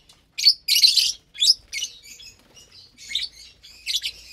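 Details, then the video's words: Lovebirds at morning mealtime in captivity, sharing vegetables and grains; dense run of shrill, buzzy chirps, several loud bursts early then quicker scratchy twitters continuing throughout. "Lovebirds Meal Time"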